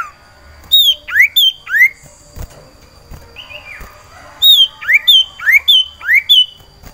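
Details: Breeding cipoh sirtu iora in a cage, calling for a female: groups of loud rising whistles, three or four at first, then a longer run of about six, with a softer downslurred note between.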